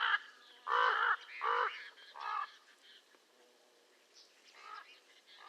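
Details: Common raven uttering a series of three harsh, grating caws about half a second apart, then a quieter, fainter call, with thin high chirps in the background.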